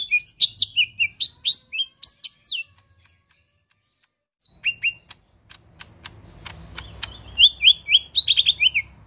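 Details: Lesser green leafbird (cucak ijo mini) in chatty 'tembakan kasar' song: quick runs of high, downward-slurred whistled notes, then a pause filled with sharp clicks, before more rapid descending whistles resume over faint low hum.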